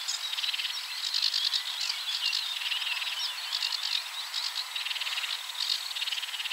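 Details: A sedge warbler at 53.286375, 22.608654 sings a fast, unbroken jumble of harsh chattering notes, dry rattles and sweeter whistled phrases, with a soft hiss in the background.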